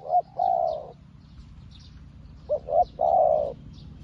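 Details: A newly trained decoy spotted dove calling in wild doves as well as an experienced decoy; low mellow coos, a short note then a long drawn coo, repeated twice, with a faint steady background hum.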